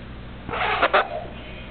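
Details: Caged-home Eleonora cockatoo mimicking speech: a raspy drawn phrase ending in two sharp clipped syllables, with people nearby saying "up up".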